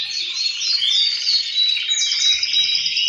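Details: A group of male canaries sing in answer to one another, a din meant to stimulate breeding. Swooping whistled slurs and pure held tones run over a steady bed of fast trilling.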